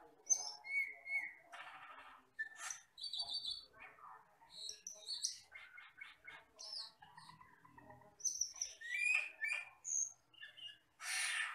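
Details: Asian glossy starling, a forest bird used for training songbirds, in a busy varied song: metallic whistles, buzzy trills, rapid chattering chips and a final harsh hissing burst.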